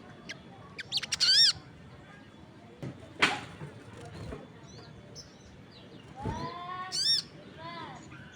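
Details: Crested jay calling strongly with other birds chiming in: loud, ringing, stacked notes rising and falling, short clicking chips, a sharp knock and brief noise bursts between phrases, faint voices in the background.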